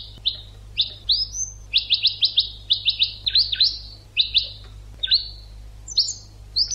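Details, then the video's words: Educational European goldfinch song meant for teaching birds: a continuous lively twitter of sharp, descending chirps, some in fast trills of three or four notes, with liquid buzzy dips between phrases and a faint low hum underneath. "CD ekpedeutiko.karderina (educational goldfinch)"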